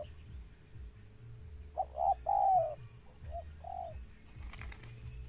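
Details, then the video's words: Wild spotted dove with a stutter: a single broken phrase of soft coos, a doubled hiccup then a longer downward-sliding note and two short trailing hoots, amid quiet low hum and a few clicks. "BURUNG TEKUKUR LIAR ADA GAGAP NYA"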